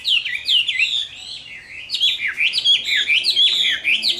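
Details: Captive Chinese hwamei, summer midday, pouring out a fighting song of tumbling, down-swept whistles and liquid warbles, loud phrases broken by a brief softer lull.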